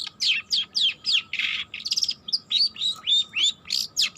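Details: Young long-tailed shrike learning to sing: a fast run of bright, downslurred whistled notes, about three per second, with a brief buzzy scratchy burst midway. A faint steady hum lies underneath.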